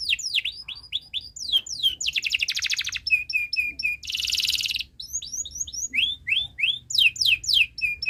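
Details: Canary in long continuous chirping song, recorded as a tutor for young birds: bright descending chirps repeated several times a second, broken by two harsh buzzy bursts, then more sweeping notes and rolling trills.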